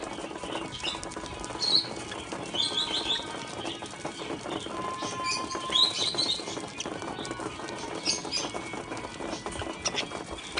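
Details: Budgerigars in an aviary give scattered high, sharp chirps and warbling chatter over a steady rustle of fluttering wings and pattering.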